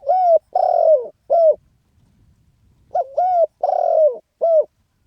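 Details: Spotted dove calling in the rousing khan yon style, two repeated four-note phrases of hollow coos with a long quavering falling note in each, faint low rustling between phrases.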